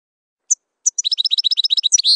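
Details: European goldfinch in campero song: two separated high chips, then a quick rhythmic rattle of about fifteen twittering notes rising into a brief buzzy finish.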